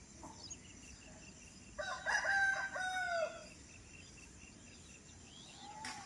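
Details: Bird heard in a village in the early morning: one loud, drawn-out crowing call about a second and a half long, with harmonic bands that rise and then hold. Faint distant calls and a quiet background surround it.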